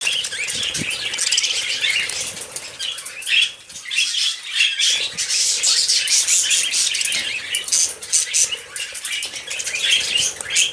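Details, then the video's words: Pet budgerigars singing while bathing in the morning: dense, continuous high warbling and chirping chatter with squeaky notes, water splashing and wing-flapping sounds throughout. "Happy Budgies Singing and Bathing in the Morning"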